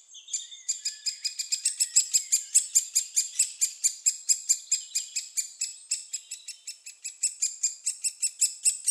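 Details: Young great spotted woodpeckers being fed in Staverden in the Netherlands: an unbroken, insistent series of loud, high, grating chirps, roughly two to three per second, keeping up the whole time with little pause.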